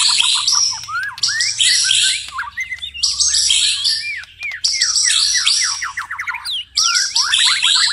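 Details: Night song of a white-rumped shama: varied loud phrases mixing bright whistles, rapid rising slurred notes and buzzy high trills, delivered in bursts with brief gaps; a steady low hum in the background.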